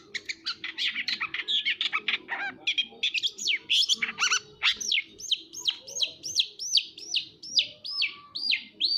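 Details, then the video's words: Long-tailed shrike in energetic song, a dense, varied jumble of harsh chattering and buzzy notes that settles into a steady series of clear, arched whistles repeated roughly twice a second. "burung peentet gacor pisan"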